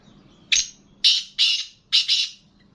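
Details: Black francolin offered for sale, calling with loud, harsh, grating bursts: one rasping note, then two paired notes, then another pair, all within under three seconds in a quiet setting.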